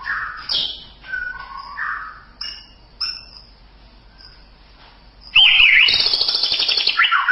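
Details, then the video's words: White-rumped shama singing rich, varied whistled phrases, some rising and some falling, that end in a loud, dense burst of warbling chatter; a tutor recording for training birds. "Masteran Suara Murai Batu"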